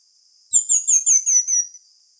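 A Pin-tailed Manakin gives a quick run of about six very high, thin, down-slurred notes, each slightly lower than the last, all within just over a second.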